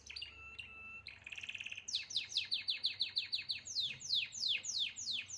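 A canary sings: a few clear whistled notes and a fast buzzy chatter, then a quick trill of high downward-sweeping notes that slows into louder, spaced swoops.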